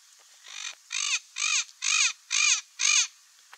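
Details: Turquoise-fronted parrot (Amazona aestiva), a wild bird known in Brazil as papagaio-verdadeiro, repeating loud grating squawks, six in a row at a steady pace of roughly two per second, each rasping and slightly arched.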